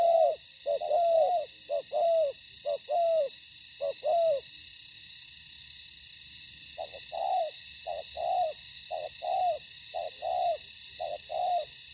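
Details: Spotted dove during ground trapping with a decoy meeting wild fighting birds; loud quick series of two-note coos, a silent pause of about two seconds, then a somewhat softer series of similar coos, with hiss throughout.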